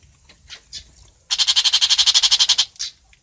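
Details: Long-tailed shrike calling to the flock: after a few soft notes, one loud, rasping run of about fifteen rapid pulses over just over a second.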